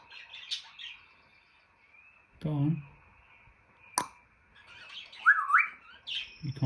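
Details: A pet African grey parrot indoors mixing harsh squawks, a low rough grunting noise, a sharp pop and rising whistled squeaks, with faint human speech.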